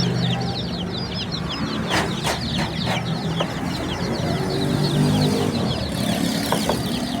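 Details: Baby chickens chirping as a crowded chorus of high, thin peeps, each a quick downward-sweeping note, overlapping constantly, with a few sharp clicks and a steady low hum underneath.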